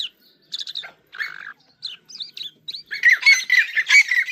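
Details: Song of an Irani king jal: scattered short chirps and slurred whistles with gaps between them, building into a loud, dense stretch of harsh, chattering warbling at the end.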